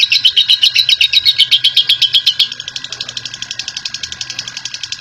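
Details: Long ngekek chatter from a champion lovebird: fast regular high notes, loud for the first half and then continuing softer and thinner, about four notes a second.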